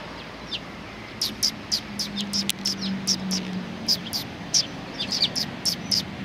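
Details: Eurasian tree sparrows, 29 November 2019, one bird coming to get insects; irregular bursts of short, high chirps, sometimes doubled, over a faint low hum.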